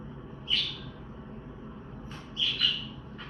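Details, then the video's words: Budgie chirping, the contact call used to locate unseen flock mates. One high chirp is followed by a doubled chirp about two seconds later, over a constant low background hum. "Funny Parakeet Trick: Play Chirping Sounds to Find Your Lost Bird"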